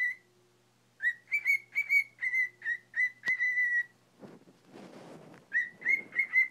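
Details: A 20-year-old pet cockatiel whistles "If you're happy and you know it" in clear, steady notes with short pauses while practising the tune.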